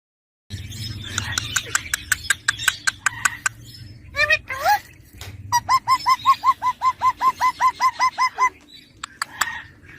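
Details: Young Indian ringneck parakeet kept as a pet, called a talking parrot; sharp clicks and rasps, a few short squawks, then a fast run of about fifteen evenly repeated whistled notes with faint background noise.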